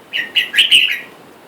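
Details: Red-whiskered bulbuls, a wild-caught male and female kept caged together while wild birds call for a mate outside; three loud bright chirping phrases rise and fall, the last ones longer and slurred, then quiet.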